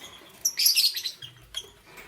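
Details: Lovebirds, Parblue Euwing Green Opaline and Green Opaline, heard in the morning giving a brief burst of bright, high-pitched chirping, then a single short chirp, over quiet background.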